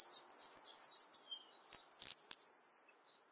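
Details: High, rapid trill from a Cuban bullfinch, a short pause, then a second burst of sharp, slurred high notes.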